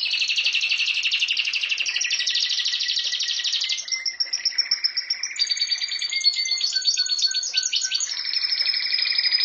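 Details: Rapid buzzy rolling trills from a canary, switching between several tours: a dense low roll, then higher metallic trills and brief whistled notes.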